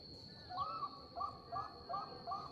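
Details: Bangkok-line zebra dove singing, a lure meant to make other zebra doves reply: five faint, brief warbled coos, each rising then dropping slightly, spaced about every third of a second, with a steady high whine behind.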